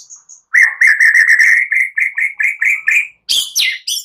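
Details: Indonesian white-rumped shama singing with cililin and prenjak phrases, used as provoking material to make other shamas sing. A steady string of about a dozen mid-pitched whistled notes, each slightly upslurred, ends in sharp, high rasping notes.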